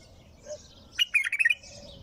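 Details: A bulbul, singing without stopping, delivers a crisp rolling phrase of six or so mellow notes, with faint high chirps in the background.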